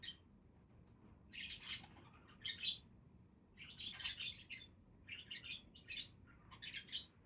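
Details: Budgerigars warbling and chattering continuously in rapid, buzzy, high squeaks and twitters, grouped in short phrases with brief gaps, over quiet low background noise.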